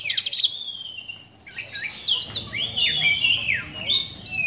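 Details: Kacer (Oriental magpie-robin) in a harsh, emotion-stirring song: buzzy stuttered opening, a long descending whistle, then rich overlapping high warbled phrases with sweeping slurs.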